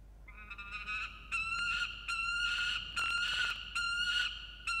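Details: Peregrine falcon at a nest in Orange, New South Wales, on 26 June 2021, calling over food: a continuous harsh, nasal wailing cry, repeatedly swelling and breaking, with faint hiss behind.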